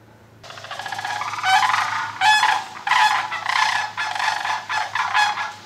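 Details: Sandhill cranes give warning cries at a person approaching too close: loud, rolling, rattling bugles in bursts about a second apart, harsh and trumpeting with a slight quaver; a faint low hum underneath.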